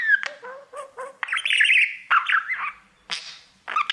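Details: Caged male budgerigar singing at its mirror, opening with a few soft separate chirps, then bursting into a fast scratchy warble of squeaks and chatter, broken by short gaps and harsh notes.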